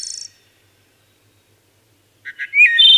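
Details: Wood thrush song: a high trill at the start, a long silence, then two soft notes and a rising slurred whistle leading into a sustained high tone.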